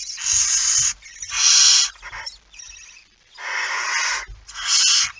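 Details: Night recording at 01:49, 17 September 2019, of a barn owl holding a mouse: five rough, wheezy hisses, some longer than a second, joined by softer breathy sounds and low bumps.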